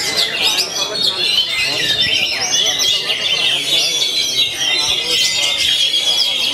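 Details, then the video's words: Kacer, or oriental magpie-robin, singing continuously: high, busy warbling of sharp whistles and scratchy chirps in a steady, unbroken flow. "Kacer Artist, Main Dur Tiap Hari Anti Mbagong"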